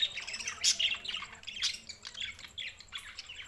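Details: Several budgerigars, June 7, 2024, keep up a busy mix of bright chirps, scratchy warbling and sharp squeaks that overlap almost without pause.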